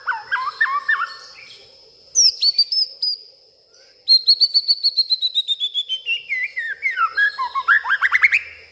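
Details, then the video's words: White-rumped shama, excited at night, sings mimicked material. Low looping whistles come first, then a brief burst of high notes, then a long chattering trill that gradually descends and breaks into rising slurred whistles. "malam hari malah koar koar,,,murai batu ngamuk isian se kebon keluar"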